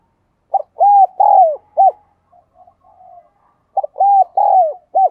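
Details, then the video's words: Spotted dove lure bird cooing and calling: a loud four-note phrase of short and drawn-out hollow coos, the third falling at its end, heard twice with soft, low rolling coos between. "tiếng cu gáy - Chim Cu Mồi Thúc Gù Và Gáy Gọi"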